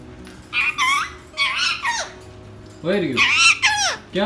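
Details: An angry pet talking parrot named Rio gives harsh, rasping screeches in two bursts, each made of several rising-and-falling harmonic squawks, with a pause of about a second between them.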